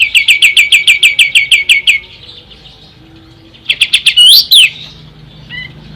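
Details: Ashy tailorbird singing: a steady train of about a dozen bright, high chips over two seconds, a pause, then more chips and a loud rising-and-falling whistled flourish. Used as tutor song for magpie-robins and greenbirds.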